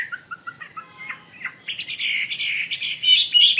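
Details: Chinese hwamei singing: a few soft separated whistled notes at first, then a dense, louder stream of warbled, buzzy phrases, with faint low background noise.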